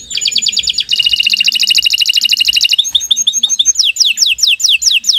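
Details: Long morning song of a canary. A clear trill rolls into a very fast rattling trill, then chattering notes, then distinct falling whistles repeated roughly twice a second.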